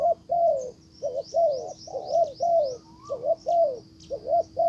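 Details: A decoy spotted dove drawing in a wild dove gives soft, mellow coos in quick runs of two-to-three-note phrases, with thin high chirps from other birds in the background.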